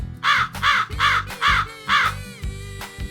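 A crow gives five harsh, arched caws in quick succession, about two or three a second, then trails off into weaker notes over a soft music bed.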